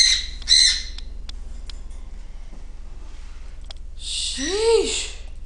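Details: A female pet cockatiel, described as a loud screamer, gives short, harsh screeching calls over a low household hum.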